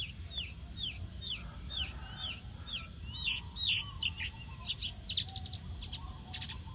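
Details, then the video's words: Javan bush lark in vigorous song, with fast repeated double chirps, then a loud swooping note and a burst of high, sharp clipped ticks. "Pesona burung Branjangan gacor"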